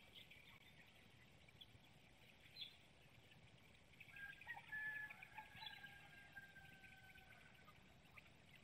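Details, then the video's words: Bald eagles, a mated pair at a nest in Hanover, Pennsylvania, exchanging calls in the pre-dawn morning of 18 March 2019 before swapping incubation duties; thin, high chittering notes rise faintly over steady background hiss, strongest midway through. "1st exchange at the Nest Webcam in Hanover, PA"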